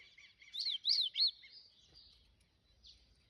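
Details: Double-collared seedeater song, a style called 'canto do rio': three clear, arched, slurred whistles in quick succession, then a faint trailing note after a short pause, over a quiet background with low rumble.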